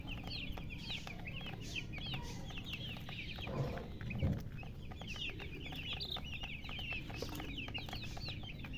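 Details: Many young chicks cheeping together, bright short upward-flicking peeps repeated rapidly, overlapping, with a brief thump midway and constant low hum.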